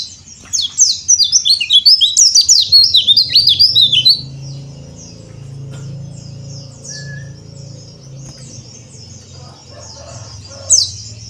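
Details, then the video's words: Bali yellow-breasted white-eye (pleci dakbal) singing cor dor style as training audio for other white-eyes. A rapid string of high warbled notes lasts about four seconds, followed by low hum, faint distant chirps and one last short note. "PLECI DAKBAL COR DOR ‼️ Cocok Buat Terapi Pleci Bahan Mu"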